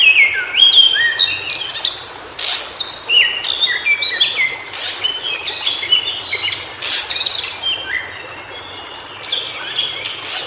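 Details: A White-browed shortwing in its natural habitat gives bursts of jumbled, sliding whistles separated by short gaps. Loud sharp clicks and knocks break in repeatedly.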